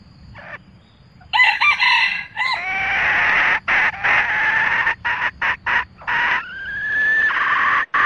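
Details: Red junglefowl, a cock and hen calling as a flock, give a few short clucking notes, then hoarse, drawn-out crowing that runs on for several seconds, broken by abrupt breaks.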